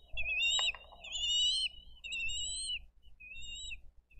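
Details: Bald eagle nest in Dade County, 22 April 2023, during a fish delivery and feeding of two eaglets; piercing whistled notes, one long wavering phrase then shorter slurred whistles, a sharp knock near the start.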